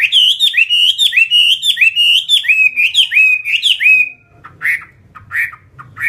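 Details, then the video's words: Fighting Chinese hwamei pouring out a steady run of rich, downslurred whistles for about four seconds, then pausing before a few scattered harsher notes over faint background hum. "Họa mi chiến 258"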